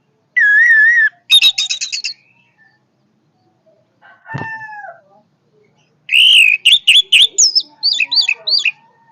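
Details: Vigorous orange-headed thrush song with widely varied phrases: a wavering whistle, a buzzy stuttered run, a short harsher note, then a fast sequence of clear whistles and high, twisting twitters.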